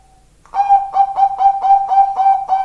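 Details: Zebra dove with a deep, thick voice gives a rolling series of about seven low, hollow coo notes, evenly spaced at roughly three per second, after a faint opening tone.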